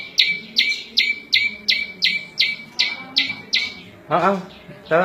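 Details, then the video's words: Prinia known as prenjak lumut, song for training cage birds and luring wild birds: regular falling chips about two per second, then two louder, harsher, broad bursts near the end. "Suara Variasi prenjak lumut cocok buat masteran&pikat burung liar"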